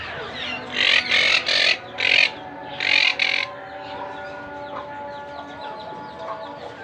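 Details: Monk parakeet chicks being fed: four to five loud, harsh, raspy bursts in the first few seconds, then softer scattered chirps, with steady tonal background sound throughout.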